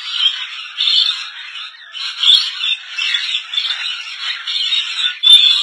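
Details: A colony of rainbow lorikeets in Indonesia fills the air with a constant, harsh, screeching chatter, many overlapping voices rising and falling in bursts with no pauses.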